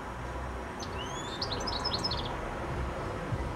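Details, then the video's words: Goldfinch singing an evening song from a high telephone wire just before sunset: rising whistled slurs followed by a cluster of quick jingling notes, with a steady low murmur of distant noise. "Goldfinch Singing a song"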